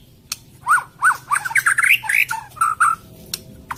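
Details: White-rumped shama on a lure recording for a moulted bird that will not sing: a fast string of short, slurred whistled notes rising and falling, clicks at the start and end.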